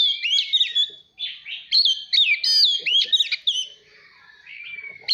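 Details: Oriental magpie-robin in a forest-style song, played to train young birds' voices and provoke competitive singing: clear whistled phrases sliding up and down, in bursts with short pauses, ending in a long steady whistle.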